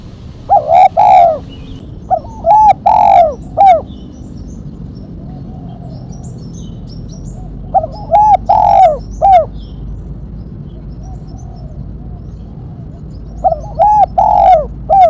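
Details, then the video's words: Sharp 'mercik kuk 1' song of a spotted dove, a recording for luring and training: four loud low cooing phrases, each a short note, two-part coo, long slurred coo and end note, separated by pauses of several seconds with faint softer repeats. "Burung tekukur suara MERCIK kuk 1 tajam"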